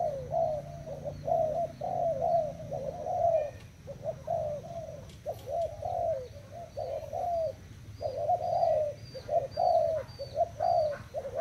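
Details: Thailand spotted dove, recorded 25/08/18, singing long series of soft, throaty coos in rhythmic groups with brief pauses, with faint high bird chirps and low background hum.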